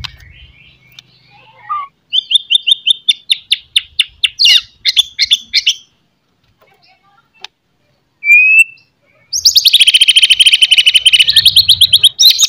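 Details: White-rumped shama in chatty morning song, used to raise aggression in other shamas: a fast run of short clicking notes, a pause, one whistled slur, then a long harsh rasping burst.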